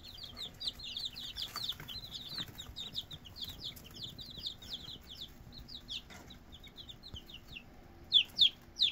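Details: Red junglefowl chicks peeping continuously, about four short high notes per second in an uneven stream, ending with a few louder, sharper rising cheeps.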